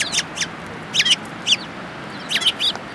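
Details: Several Eurasian tree sparrows come to be fed at a Tenmangu shrine in Japan on 24 February 2022, giving sharp, high, bright chirps in quick clusters of two or three, separated by short pauses, over a steady low background hiss.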